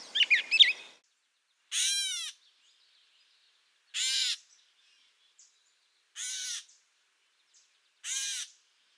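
A Gray Catbird gives a brief jumble of squeaky, warbled notes, then four harsh, nasal, cat-like mews, each about two seconds apart.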